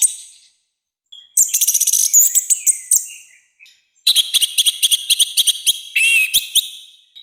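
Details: Orange-headed thrush singing loudly and freely in a harsh, forceful style used for training and provoking birds: two long bursts of rapid, high, chattering notes at about four per second, separated by a short pause.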